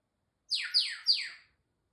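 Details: Pet African grey parrot making a lot of noises: three loud downward-sweeping whistled squeals in quick succession, each about a quarter second long, with silence before and after.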